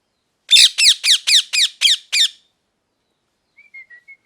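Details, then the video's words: Parrot giving a rapid burst of seven harsh, buzzy squawks at about four per second, each note sliding downward, followed after a pause by faint thin whistled notes. "Parrot Chirping Sounds | Natural Parrot Sounds | Parrot Calling Sounds"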